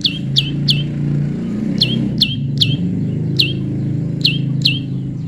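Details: Prinia kept tame, heard while being paired: clear high chirps that drop sharply in pitch, given singly and in pairs, over loud low rumbling traffic-like noise.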